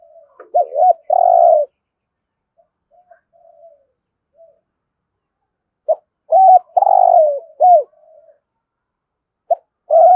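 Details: 'Thúc gù' coo of a spotted dove, 'thổ rền' voice: a hooked double note and long throbbing coo, a quiet pause with faint murmurs, then a fuller phrase ending in two downward-curving notes.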